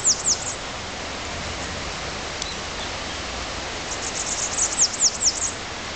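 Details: Yellow-chevroned parakeet feeding on molungu flower petals, moving from branch to branch; a few sharp, high, downslurred chirps open the clip, then a quick run of shrill chirps near the end over steady hiss.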